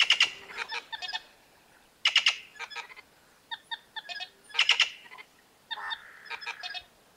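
Plush-crested Jay giving harsh, rasping bursts about every two and a half seconds, mixed with clicking, knocking notes and a brief nasal tone.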